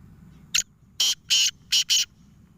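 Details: Black francolin, known locally as kala teeter, giving a harsh grating call: one short clipped note, then four longer rasping, buzzy notes in quick succession, over a faint low background hum.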